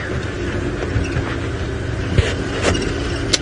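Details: Steady rumble of a vehicle engine with a few soft knocks and clicks, and no animal voice.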